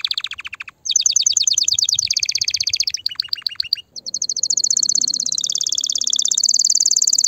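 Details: Loud canary song intended to stimulate mating and nest building: several bursts of fast trilling separated by short pauses, the last a long, smooth, high rolling trill, with soft background hiss.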